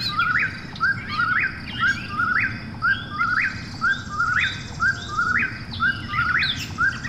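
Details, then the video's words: Eastern whip-poor-will heard at night, repeating a clear, rising whistled phrase almost exactly once a second, with soft high background calls and low steady noise. "Eastern Whip-poor-will Call"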